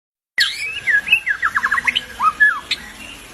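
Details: Albino white-rumped shama singing in good voice: a loud, varied phrase of clear whistles, then a fast run of short downward-sweeping notes, ending in a few rising and falling whistles.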